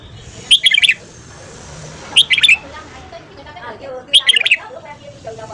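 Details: Morning singing by a red-whiskered bulbul, meant for voice training: three short, bouncy phrases of about five whistled notes, repeated every one and a half to two seconds, with soft lower chatter between.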